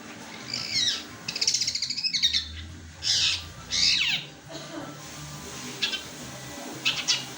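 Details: A kept long-tailed shrike sings in fighting style, filled in with sparrow-like notes: quick high chattering trills and sharp chirps in short bursts separated by pauses, over a low steady hum.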